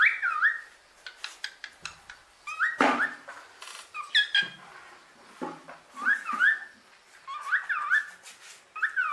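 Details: Captive female common hill myna kept as a pet, giving wavering, warbled whistles that rise and fall, repeated in similar phrases. Sharp clicks and a few broad noisy bursts fall between them.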